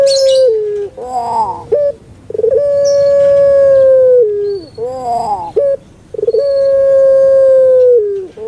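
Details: Barbary dove, a pet puter pelung type prized in Java: a falling hoot, then rolling gurgled notes and a clipped note. After that comes a long, even coo of nearly two seconds, with a brief chirp faintly behind.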